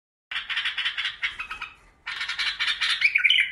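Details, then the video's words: Bulbuls from Iraq singing: a fast stream of harsh, chattering notes in two bursts separated by a short pause, ending in a few clearer whistled notes. "تغريد بلابل العراق"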